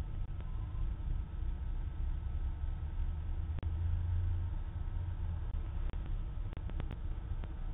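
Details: Constant low traffic rumble with a few sharp clicks and knocks; no animal calls.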